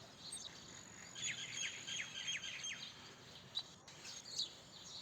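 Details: House sparrow chirping: rapid runs of short, high, dry chirps in two loose bursts, fairly faint over a steady soft hiss.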